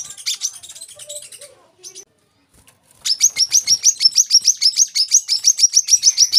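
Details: Olive-backed sunbird song, meant for tutoring young caged birds: scattered high chips, a quiet gap, then a steady, even trill of sharp, high notes at about three per second.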